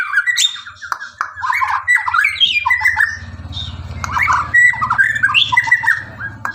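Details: White-rumped shama in rapid, dense song of tumbling whistles, chattering trills and harsh squawky notes, nearly continuous over a steady low mechanical hum.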